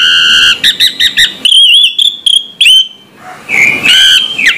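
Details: Orange-headed thrush in morning song, delivering a series of short clear whistled notes, then wavering slurred phrases and a downward-sweeping note, ending with rich harmonic whistles over light noise.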